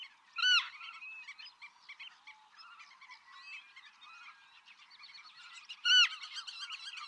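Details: Black-tailed godwit recorded 6 October 2015 in Pingtung County, Taiwan. A strong, bending nasal call opens the clip and another comes near the end, with a busy wash of twittering calls from many birds between them.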